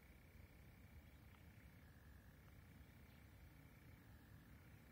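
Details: Two European nightjars churr at Orrmossen in Nacka, just outside Stockholm, on 31 May 2020, in a long, unbroken mechanical trill shifting now and then between higher and lower pitch, over distant traffic rumble.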